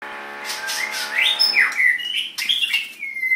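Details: White-rumped shama singing before a Sunday singing battle: a soft, steady low tone gives way to loud, clear whistled phrases that slide up and down, ending on a long level note.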